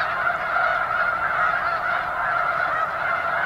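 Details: Many thousands of snow geese near Lake Street at McNary National Wildlife Refuge, Washington: a brief burst of unceasing overlapping honks, a thick, buzzing chorus of nasal calls with slight pulsing in loudness.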